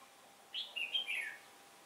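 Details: Red-whiskered bulbul decoy singing competitively to lure wild birds into a trap on a windy day in October: one short burst of four bright, slurred warbled notes dropping in pitch at the end, over quiet background.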